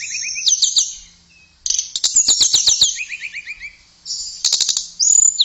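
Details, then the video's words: Tledekan, a blue flycatcher, in melodious song for training caged birds: bursts of bright high warbling separated by short pauses, with a lower run of descending slurred notes in the middle and scattered dry clicks. "Kicauan Merdu TLEDEKAN"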